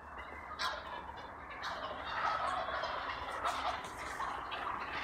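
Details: Wild turkey gobbling: a loud rapid rattling burst near the start followed by further gobbles and clucks across the recording, with steady background hiss.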